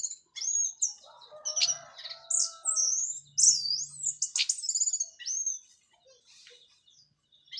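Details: Cililin orange-headed thrush after its moult, singing teler and plong style: high squeaky twisting phrases and slurred whistles in quick succession, with quieter lower warbles under the opening notes.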